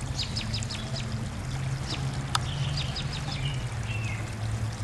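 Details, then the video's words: Spring birds calling together at sunset: rapid series of sharp descending chirps at the start, then scattered whistles and short trills, with one sharp click near the middle and a constant low rumbling background. "Sounds of todays end at sunset, birds going wild for spring"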